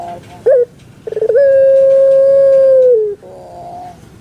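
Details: Caged puter pelung, the Javanese Barbary dove, used to stimulate pet birds: a short rising note, then a stuttered start leading into one long, steady coo that falls away at the close.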